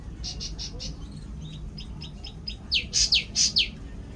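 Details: Cucak ranting bird calling in the morning: a run of faint short chirps, then five loud, sharp, steeply falling high notes in quick succession near the end, over a steady low hum.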